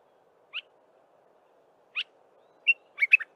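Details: Early-morning song of a Dark-capped bulbul, with two isolated upslurred chirps followed by a short tumbling phrase of four or five cheerful whistles.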